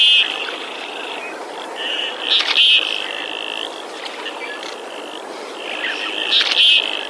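Male Common Goldeneye: a high, thin whistling tone drawn out in several long bursts, with two sharp rasping, clicky notes breaking in.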